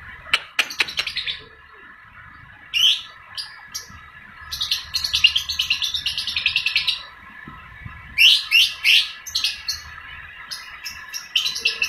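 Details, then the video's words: Young (balibu) lovebird in full voice, giving long ngekek chattering in separate bursts of rapid, shrill, buzzy notes, with short pauses between the runs and a steady faint hum underneath. "TERAPI SUARA LOVE BIRD BALIBU GACOR NGEKEK PANJANG"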